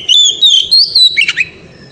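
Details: Oriental magpie-robin delivering piercing ngeriwik song meant to excite a female: several long, clear whistled notes, wavering and slightly rising, then a short burst of scratchy twitter fading out.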